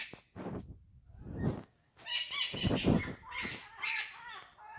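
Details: Parrots calling in a nature recording: harsh, harmonic squawks in short bursts, some nasal and some rising, with several birds overlapping after the first two seconds and brief quiet gaps between groups.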